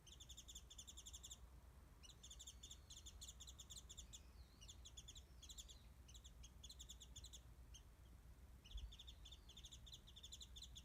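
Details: A wild warbling white-eye sings from a tree above a garden feeder with mandarins, filmed distantly by phone; busy trains of quick high chirps interlace with wavy whistled phrases, a pause near the end, then chirping resumes over low hum.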